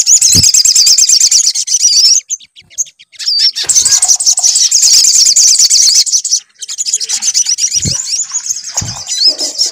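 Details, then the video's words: High sunbird song played as a lure so a bird will sing: long, dense, buzzy trills broken by short pauses, a few looping whistles, and occasional low knocks. "PANCINGAN SUARA SOGON AGAR BUNYI"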